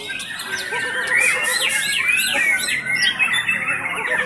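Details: White-rumped shama singing at a Tuesday practice bird-singing contest in Cibinong, Indonesia: loud, clear whistled notes that slur up and down, repeated rapidly in varied phrases, with other birds chirping and people talking in the background.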